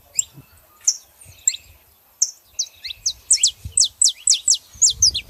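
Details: Saffron finches, female and male, singing: scattered high chirps give way to a fast run of bright, sharply descending notes, closely repeated near the end.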